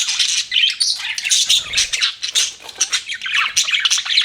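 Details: Pet budgerigar chatter: fast, harsh squawks and scratchy chirps packed closely together, high and unbroken throughout.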